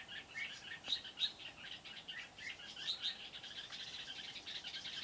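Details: Decoy red-whiskered bulbul at a trapping site in Kim Bôi, Hòa Bình, Vietnam, 8 September 2019, luring wild birds. Quick paired whistled notes and chirps sound in bursts, backed by continuous insect buzz and rural ambience.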